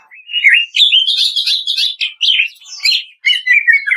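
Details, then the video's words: Greater green leafbird delivering kretekan song for training caged birds: a continuous, energetic flow of rapid chattering and whistled notes in short bursts, with sweet, warbling phrases near the end. "SUARA KRETEKAN DAHSYAT CUCAK IJO"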